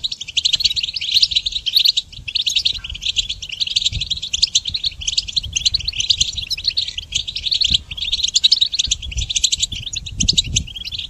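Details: Extended goldfinch song for training songbirds: long, dense phrases of fast twittering and metallic trills, only brief breaks between them, over a soft low rumble.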